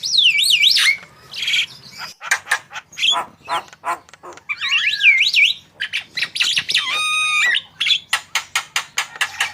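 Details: Javan myna in full song, intended to coax other birds into singing: wavering zigzag whistles, harsh squawks and rapid strings of clicks alternating over the whole stretch.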